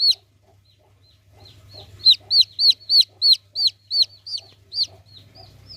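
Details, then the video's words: Chick of the domestic chicken starting with a few soft peeps, then breaking into a loud series of shrill, descending chirps roughly every third of a second, fading to quieter notes; faint low hum throughout. "suara lucu anak ayam"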